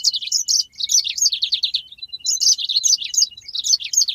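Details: Yellow-fronted canary delivering a long rolling 'ngeroll' song for bird training: an unbroken, tumbling warble of high, quick, varied notes lasting over four seconds without a pause.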